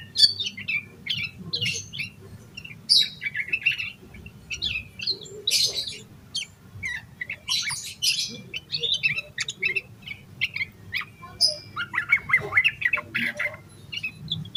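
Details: Energetic yellow-vented bulbul song in the 'emosi koslet' style with rich fill notes, played to get other bulbuls singing; rapid run of sharp chirps, squeaks and bubbly whistles in tight clusters, over a faint low rumble.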